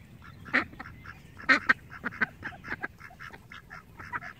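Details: Domestic ducks quacking, loud separate harsh quacks at first, then a run of quieter rapid quacks from several birds.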